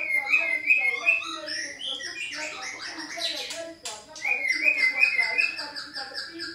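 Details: White-rumped shama singing, meant to make a caged shama answer. Vibrant trilled whistles, busy jumbled chattering in the middle, then another bright rolling trill and high repeated notes.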